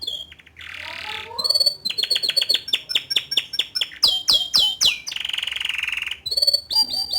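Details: Canary song from a young male, used to provoke a juvenile bird into singing sooner. Sharp chirps give way to fast repeated downward-sweeping notes, a buzzy rattle, then bright high trills.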